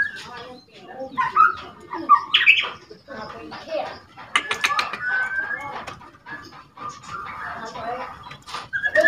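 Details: Young white-rumped shama, two months old, learning its song; rattling and whistling said to agitate other shamas. Dense dry rattling clicks mixed with short clear whistled notes and brief rising phrases, loud bursts in irregular succession.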